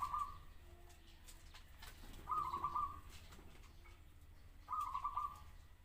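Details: ['Zebra dove song: three short trilled, bubbling coo phrases at a mid pitch, each about half a second long and spaced roughly every two and a half seconds, over a low steady background hum.']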